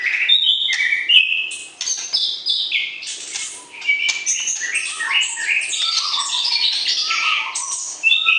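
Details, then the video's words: White-rumped shama kept caged for breeding, singing to arouse a mate: clear whistled notes sliding up and down, bursts of scratchy chatter, with a brief low pause before a dense varied finish. "PERJODOHAN Murai Batu, PANCING Birahi Lawan Jenis"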